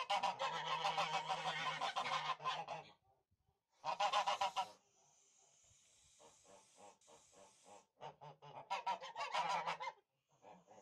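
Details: Harsh chorus of Tula fighting geese, a Russian poultry breed bred as fighting birds: loud dense honking bursts separated by quieter stretches of softer honks and a steady high hiss.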